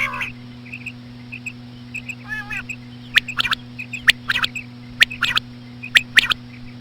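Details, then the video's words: Female common quail gives slow, soft, short, high calls in loose pairs and small bursts, about one a second, over sharp clicks and a steady low electrical hum. "COMMON QUAIL CALLING WITH SLOW FEMALE QUAIL SOUNDS"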